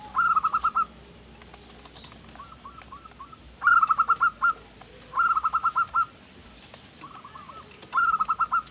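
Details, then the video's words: Perkutut, the zebra dove, singing actively in manggung style as a lure for wild birds: repeated bursts of quick cooing notes, loud runs alternating with fainter, more spaced groups, over light background noise. "Perkutut Manggung Gacor Pas Buat Pancingan Burung Hutan"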